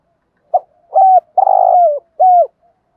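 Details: Spotted dove lure call, used in the morning to draw in wild doves: a brief soft note, then a sustained coo, a long burry coo falling at its end, and a final falling coo, all within three seconds. Clean with no other sounds.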